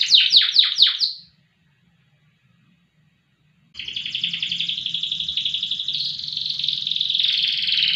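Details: Canary of the loper type, known for long loud singing, gives five quick sweeping notes, falls silent for over two seconds, then resumes with a continuous dense buzzing trill.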